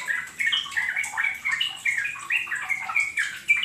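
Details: Yellow-vented bulbul song used as a lure to set other birds singing: short bursts of rich, gurgling, slurred notes, each burst about a third of a second, following one another in a fast, lively run.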